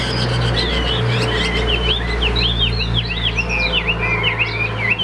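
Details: Chinese hwamei of the Tam Hoang type, a calm-natured caged bird with an even voice, pouring out quick looping whistled notes, many dipping and rising, over a steady low hum.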